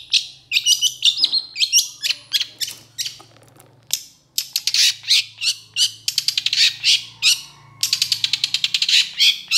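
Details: Long-tailed shrike singing energetically ('gacor'): dense, harsh, scratchy notes tumble in quick bursts. A short pause breaks the flow before rapid rattling sequences resume. A faint low hum sits underneath.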